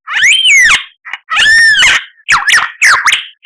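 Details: Loud, rich whistled phrases from a white-rumped shama (murai batu) masteran, with long arching notes followed by two sharp swooping calls.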